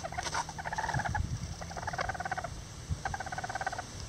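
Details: Lavender Bantam hen and roosters building a nest: quiet rolling trills of fast pulsed notes in short bursts, over low rumbling and rustling background noise.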